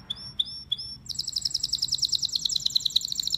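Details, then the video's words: Male domestic canary singing: three sharp downslurred whistles spaced evenly, then a fast, bright, high-pitched trill of rapidly repeated notes continuing steadily to the end. "Canary Singing birds sounds at its best | Melodies Canary Bird song"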